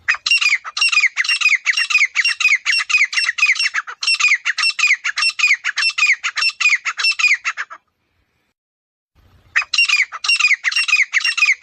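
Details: Grey francolin (Ortygornis pondicerianus) outdoors giving loud, harsh, grating notes in a fast, steady series about two per second; the calling breaks off briefly, then resumes.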